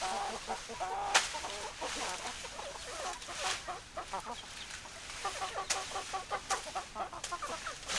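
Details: A chicken opens with a drawn-out tonal note, then hens cluck steadily in quick, choppy notes with several sharp clicks mixed in.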